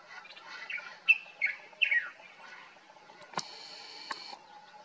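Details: Common bulbul (Pycnonotus barbatus) in Morocco, summer morning, gives a quick phrase of three or four bright, liquid, slurred notes, the last dropping in pitch; a sharp click and brief rustle follow.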